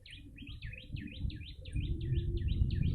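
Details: Yellow-bellied prinia calling for bird luring: quick repeated V-shaped chirps in a tight series, evenly paced, with low-pitched hum and rumble underneath.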